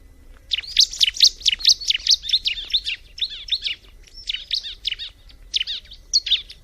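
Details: Bar-winged prinia (ciblek) delivering a long, rapid series of high, sharp, downslurred chirps, repeated more than twice a second in uneven bursts, with a brief pause midway, over soft low background hum.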